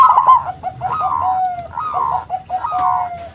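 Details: Local zebra dove singing steadily as lure material for other doves. Four drawn-out coos each slide downward and end with short lower notes. The phrases repeat roughly every 0.8 seconds.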